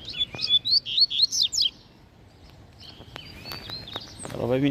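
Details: Rusty-collared seedeater (coleiro) singing in the wild near a fence in open scrub, a caged bird also present: a fast run of varied chirped, slurred notes for under two seconds, then quieter distant twittering and faint rustling.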